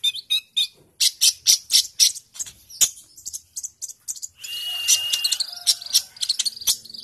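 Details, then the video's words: Sunbird singing vigorously in fighting mood, a training model for other songbirds: rapid high chattering notes repeated several times a second, then a long steady high tone with sharp chips layered over it. "Kolibrimu langsung fight dan gacor!!!"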